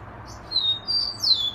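Rufous-collared sparrow singing three high, clear whistled notes, the last slurring downward, over a faint low hum.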